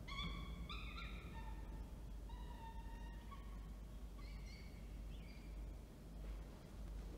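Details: At Orange, New South Wales, on 19 October 2024, falcons during a food handover and feeding: a string of drawn, slightly falling wails that grow fainter and more broken toward the end, set against steady low-frequency noise.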